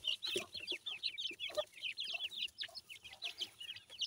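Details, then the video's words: Francolin chicks peeping rapidly and steadily, with clear high downward chirps from several birds and a few faint thumps. "teetar bird chicks ki sound"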